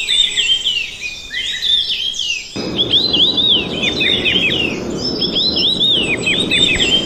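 Red-tailed minlas give a busy stream of thin, high, quick chirps and twitters, several notes a second, over a steady rushing background hiss.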